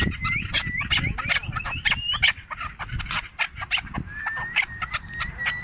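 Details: Hand-reared four-year-old Chukar partridge, Tajikistan, 2021, calling in fast, harsh clucking bursts repeated irregularly, overlaid by a thin sustained whistle rising slightly, with low-frequency background noise.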